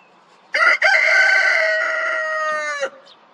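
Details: Rooster crowing: one loud, long cock-a-doodle-doo lasting over two seconds, opening with a short clipped note, then a sustained harmonic-rich cry that holds steady and slightly falls before ending abruptly; quiet background.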